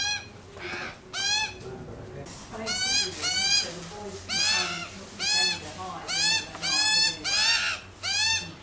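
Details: Australian magpies on a lawn while eating bacon, calling in the family: a series of nasal, harmonic calls, each rising then falling, repeated about every half second with brief pauses.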